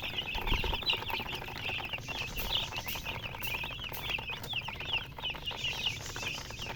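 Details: Baby chicks chirping in a crowd, non-stop high thin peeps overlapping, with occasional clicks and taps over a low steady background.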